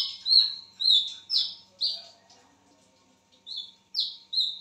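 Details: Lesser whistling duck, vocal and calling at midnight, gives high whistled notes that drop and level off, about one every half second, with a short pause before three more.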